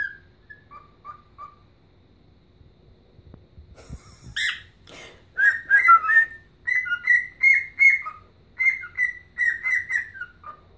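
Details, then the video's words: Pet bird, described as a keen Chicago Blackhawks fan, dancing while whistling its own version of Chelsea Dagger: short clear whistled notes that dip and rise, then a quick run of rising and falling phrases with a few harsh bursts. "Singing and Dancing Ike Bird"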